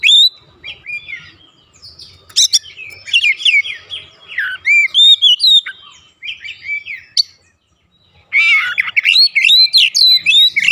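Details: Oriental magpie-robin delivering 'ngeplong gacor' song to provoke other magpie-robins at home: long varied stretches of whistles, sweeps and chatter, pausing about a second near eight seconds before a loud rapid final burst.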